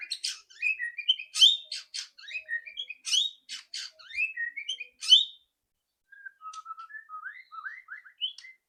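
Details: White-rumped shama rattling song used as a lure for quick singing: a busy series of harsh high chattering notes, then a pause and a run of short upslurred whistles.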